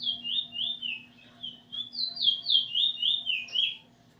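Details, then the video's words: Eurasian bullfinch nearly done learning its song from a tutor, 13 August 2020. A rapid string of piping, down-slurred whistles, louder in the second half, over a low electrical hum. "Spot bird singing together with the teacher almost finished making"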